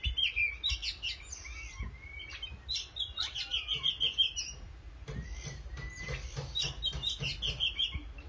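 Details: Oriental magpie-robin in continuous song: rapid pulsed chatter of high notes mixed with clear, long whistled glides, repeated in bursts over a low hum.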